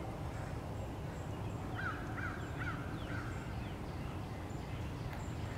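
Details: Crows, American, pursuing a male bald eagle at his nest on 30 March 2016, give four clipped, raspy caws in even succession, fairly distant, amid a broad low rumble.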